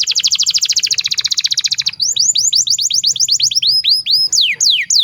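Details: Canary master song used to coach young birds: about two seconds of very rapid, buzzy rolling trill, then spaced, ringing downward sweeps, ending in a few long, loud slurred whistles.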